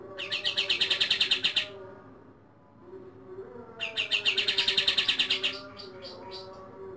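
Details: A captive White-rumped shama singing at dawn, giving two rapid bursts of about a dozen sharp, high chattering notes each, followed by a few looser notes, over a low steady background hum.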